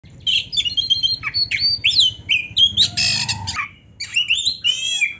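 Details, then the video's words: Oriental magpie-robin in full song, used as a tutor recording to make other magpie-robins excited: loud, varied phrases of sharp whistles, rising and falling slurs and a harsh buzzy burst, crowded closely together with short gaps. "MASTERAN KACER GACOR ISIAN MEWAH ‼️ - AMPUH BIKIN KACER LAIN CEPAT PANAS"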